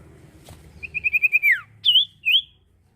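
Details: Common iora singing: a quick run of six short whistled notes on one pitch, swelling in loudness, then sliding down into a long falling slur, followed by two clear rising whistles; faint low hum in the background.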